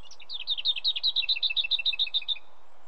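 Lesser whitethroat song: a brief soft opening note, then a dry, high rattle of about fourteen quick notes on one pitch over two seconds, with faint background hiss.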